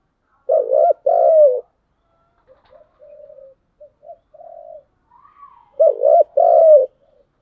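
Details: Spotted dove cooing in the giọng đồng song style: two loud, deep, throaty coo phrases open the song, then softer low murmurs, then the same paired phrase returns near the end.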